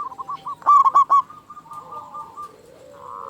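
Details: Local Indonesian zebra dove with a strong voice, played as a lure for other doves: one loud burst of four clipped coos, then a soft drawn-out purring trill.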